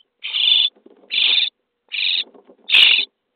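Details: Nestling common starlings inside a nest box, day 23, at feeding time: four loud, hoarse, hissing rasps, each about half a second long, separated by brief quiet gaps.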